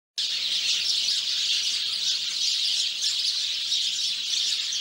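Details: House sparrows in a garden chirp in a dense, unbroken chorus, many bright overlapping cheeps blending into a steady chattering wash with no pauses.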